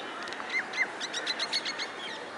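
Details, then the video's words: A bird in India gives a quick run of short, high, downslurred chirps, about five a second, over a steady background hiss. "Bird Chirping Sound"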